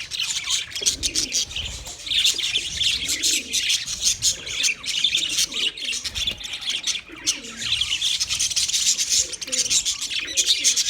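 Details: Flock of budgies keeps up a constant high chatter, shrill chirps and squeaky warbling layered together, with soft lower rolling tones drifting underneath throughout.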